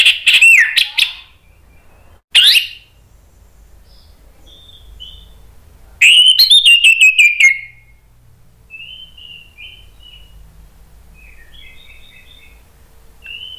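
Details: Orange-headed thrush singing agitatedly to provoke other birds: two loud rising whistled phrases, then a rapid burst of sharp repeated notes around six seconds, followed by faint soft warbling twitters in a quiet background.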